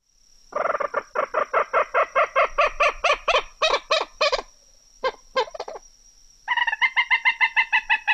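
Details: Common Gallinule (formerly Common Moorhen), a marsh bird with a weird, chimpanzee- or monkey-like sound: a loud series of nasal clucking notes running fast then slow, a brief pause, then another rapid chattering burst, over a steady high whine.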